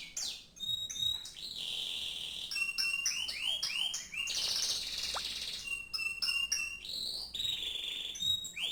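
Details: Canary delivering a varied song: bursts of quick clicks and stacked trill notes, curving whistled sweeps, and a harsh buzzy rasping passage in the middle, with steady high whistled tones returning.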